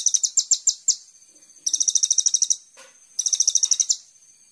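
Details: Kolibri ninja sunbird, used on a master track to train songbirds: quick high chips speeding into trills, then two more fast buzzy trills separated by a pause and a faint lower note.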